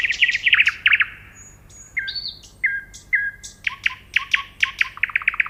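A nightingale sings varied phrases: fast repeated chips, a few pure thin whistles, then a rapid, rhythmic run of loud notes. No other sounds intrude.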